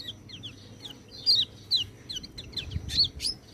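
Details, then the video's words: White-eye in a training recording for birds that seldom sing: short, high, thin chirps and slurred notes come in irregular bursts, several louder ones standing out over a low hum. "MASTERAN BURUNG PELECI, cocok untuk burung peleci malas bunyi"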